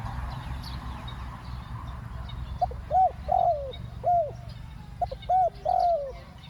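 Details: Spotted dove used to lure wild doves, giving a two-part coo: a short clipped note followed by longer, mellow arched coos, the phrase repeated twice with a pause, over a low background rumble.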